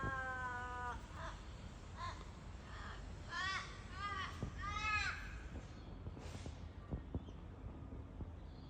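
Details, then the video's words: An Australian crow in Australia gives a long nasal caw, then a run of drawn-out, wailing notes that rise and droop at the end, over a low background rumble. "Funny sounds by Aussie crows"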